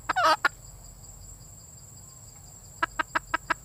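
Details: Female red junglefowl: a loud, harsh, warbling burst at the start, then a row of five short, clipped clucks near the end. A continuous shrill insect drone fills the background.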